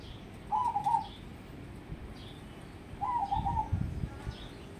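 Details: Crossbred zebra dove, a prospect for song contests, giving two soft, rippling coo phrases about two and a half seconds apart against a low rumbling background.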